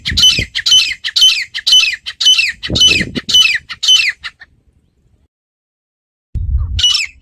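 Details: Grey francolin calling from a village setting, a fast, very regular series of shrill, high, ringing notes roughly twice a second, with low thumping noises, a pause of silence, then the calling resumes.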